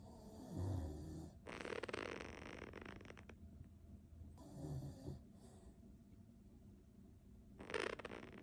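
A Quaker parrot makes soft, breathy snoring sounds in slow, separate bursts.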